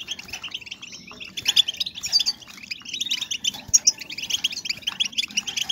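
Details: European goldfinch females calling, meant to raise breeding drive in males; busy chorus of fast liquid twitters and sharp chirps, several birds at once, with brief pauses between bursts.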